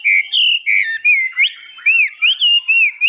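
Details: Pure, loud whistled song of a newly arrived Hwamei said to be 85% tame: about ten clear notes in three seconds, some level, others arching up and over, phrases high and sustained.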